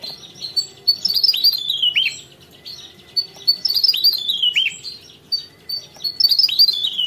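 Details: Javan tesia (Tesia superciliaris) pouring out rapid high-pitched twitters and falling whistled slurs in repeated phrases, with a faint low background hum.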